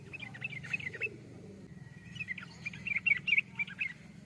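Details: Yellow-vented bulbul giving two chattering phrases of quick, warbled chirps with a short pause between, over a steady low rumble.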